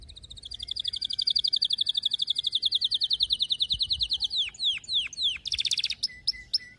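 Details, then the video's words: Canary singing to train young canaries: a long fast run of repeated high notes over four seconds, then several loud downward-sweeping whistles and a short buzzy burst. "كناري مرعب غناء تحفيز غير طبيعي"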